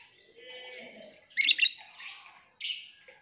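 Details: Lovebird producing a buzzy high warble that builds into a loud burst of harsh squeaks, followed by further scratchy chirps.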